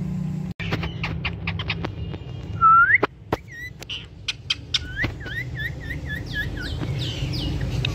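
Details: Pet rose-ringed (ringneck) parakeet, a talking parrot, giving a string of sharp clicks, a rising whistle and repeated short chirpy notes, with a low background hum throughout.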